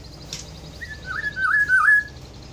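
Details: Kepodang hutan, the black-throated oriole, sings one rich fluty phrase of looping whistles that fall and rise several times, lasting about a second, with a brief click near the start.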